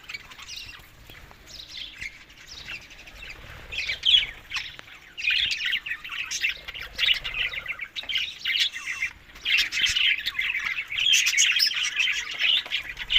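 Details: Budgerigars at summer food, May to June, in Larkana, Sindh: faint scattered chirps for about four seconds, then a fuller, continuous twittering chatter of many high notes.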